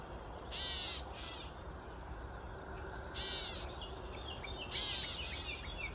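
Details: A Gray Catbird on a mulberry tree in Side Cut Park, Maumee, gives harsh, nasal, cat-like mews, four rasping calls in six seconds, over a steady hiss with faint chirps from other birds.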